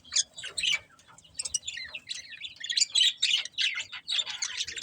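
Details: Budgies chirp in a rapid stream of short squeaky, warbling notes, about three or four a second, growing busier toward the end.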